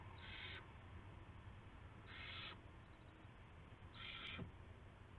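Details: Owl on the nest at around 5:20 in the morning on March 9, 2016, with a rat brought as prey. Three rough, hissing screeches come at regular two-second intervals, with a brief click near the end and low background hum.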